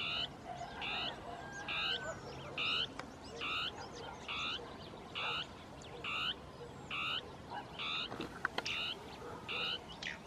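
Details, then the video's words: Two Northern tapaculos interacting in shrubs with territorial song. Croaking, buzzy notes repeat rapidly, slightly over once a second, with overlapping series near the end and a few sharp clicks. "CHURRIN DEL NORTE (Scytalopus fuscus) CANTANDO"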